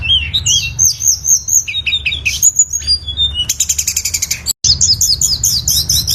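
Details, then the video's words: Tledekan gunung singing: high varied whistled and chirping phrases, a rapid buzzy stuttering passage midway, with steady low rumbling background noise throughout. "suara burung tledekan gunung"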